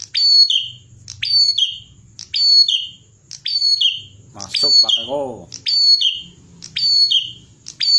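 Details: Bar-winged prinia in full song for training songbirds: steady series of high, quick chirp-and-slur phrases about once per second, briefly overlapped by a lower wavering call in the middle.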